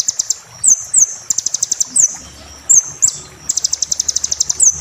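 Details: High-pitched sunbird song for training caged birds: short rattling trills alternating with quick downslurred whistles, repeated roughly every second, with faint low background noise.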